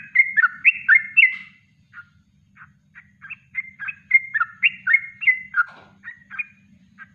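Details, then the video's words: Natural song of a Yellow-vented bulbul used as a master recording for training birds; bursts of quick warbling whistled notes separated by a quieter gap of a few isolated notes. "Masteran Trucuk Kongslet Alami"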